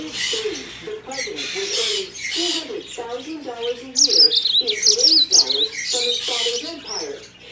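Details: A yellow-fronted canary in a bird shop sings a bright, high warbling song of quick trills and whistles, loudest midway. Low human speech runs underneath throughout.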